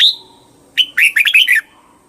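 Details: Red-whiskered bulbul singing: a single bright slurred note, a pause, then a quick bubbly phrase of about five warbled, rolling notes, clear against a quiet background.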